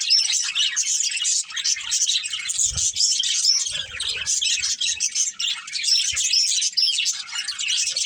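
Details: Pet budgerigars from a family group keeping up a steady stream of busy warbling chatter, scattered with short sharp whistled notes.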